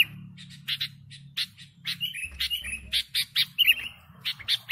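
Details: Sooty-headed bulbul singing lively, a recording meant for luring birds: a series of short, bright, slurred notes, several rising and falling, spaced irregularly about every quarter second, with a faint low hum underneath.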